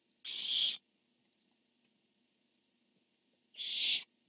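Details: On 10-1-15 one barn owl calls and its mate answers: two raspy, hissing screeches about three seconds apart, each roughly half a second long, with little else heard.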